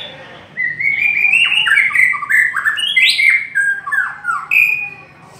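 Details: White-rumped shama in long song, delivering a fast, varied stream of whistled phrases with swooping slides, downward glides and sharp high flourishes, loud and continuous before fading at the end.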